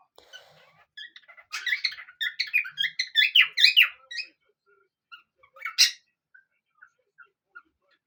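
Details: Pet parrots duetting indoors, singing more as the sunny days increase: a burst of varied squeaky chirps, warbles and whistles overlapping for a few seconds, then scattered single chirps and one sharp squawk in a quiet room.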